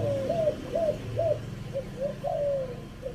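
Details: Spotted dove from Chiang Mai, Thailand, recorded as a decoy sound in the three-kuk style, part five: soft mellow coos, some rising then falling, repeated in quick succession over a low rumbling background hum.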